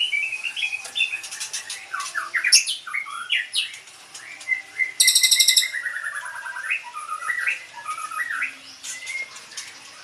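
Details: Young white-rumped shama just moved from its breeding cage: varied whistled and twittering phrases, rising and falling notes, with a burst of rapid high harsh chirps near the middle.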